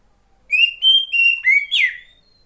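Oriental magpie-robin female giving five clear, high whistled notes in about a second and a half, ending in a brighter downslurred note; no other sounds.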